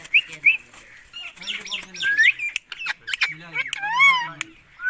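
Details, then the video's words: Talking green Indian ringneck parakeet addressing its owner: short high chirps, raspy squawks and a wavering speech-like phrase with a bending tone, all close and loud. "Indian green ring neck parrot talking to me"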